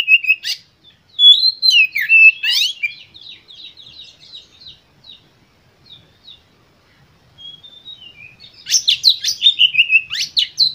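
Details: Oriental magpie-robin song meant to stimulate other birds: loud varied whistles and sharp notes, a long softer passage of quick twittering repeated about twice a second, then an energetic burst of chattering whistles.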